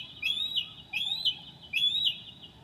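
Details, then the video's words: Northern mockingbird singing at 2 a.m. on 9 July 2008, mimicking other birds: three repeated rising-and-falling whistled phrases with a buzzy slurred ending, spaced about 0.8 seconds apart, over steady low background noise. "HIGH QUALITY AUDIO of a Mocking bird at 2:00 A.M."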